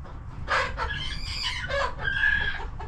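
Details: Coop chickens on a homestead make a run of drawn-out, harmonic calls that swell and fade over a few seconds, overlapping slightly, with a steady low hum of background noise beneath.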